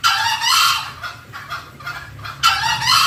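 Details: Green junglefowl call used as a lure to attract wild birds: two loud, harsh, rasping bursts, each about half a second long, separated by a few softer clucks.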